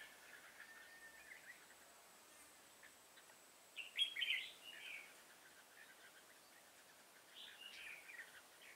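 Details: Red-whiskered bulbul at a trapping session with a decoy bird, 24 September 2018; one clear burst of warbled, chattering notes mid-clip, then a softer trailing phrase over a faint steady hiss.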